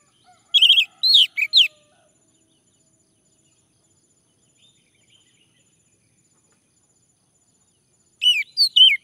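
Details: Male orange-headed thrush, used as a lure to prompt singing: a quick burst of high, slurred whistled notes with a wavering phrase, then near silence, then another rapid burst of whistles at the end.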